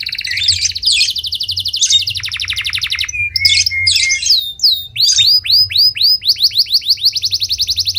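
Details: Singing canary delivers dense rolling trills, a brief pause, scattered chips, then a run of fast upswept whistles repeated in quick series; faint low hum throughout.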